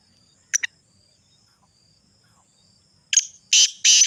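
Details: Two faint clicks from a Sindhi black francolin, then a pause before a loud, harsh phrase starts: a short note followed by two long grating rasps, cut off at the end.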